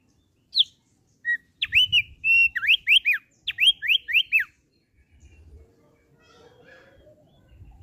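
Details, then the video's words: Captive thick-billed heleia singing sweetly: a high note and a short whistle, then a run of loud, clear whistles alternating level tones with quick rising and falling slurs, stopping after about three seconds; faint low rumbles follow. "SUARA MANIS YANG KELUAR DARI BURUNG RAWATAN OPIOR PARUH TEBAL"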